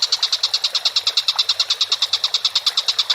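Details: Tengkek buto, or Collared kingfisher, in full voice: a continuous chattering train of loud, rasping, evenly spaced notes, roughly eight each second, sustained throughout over a low hiss.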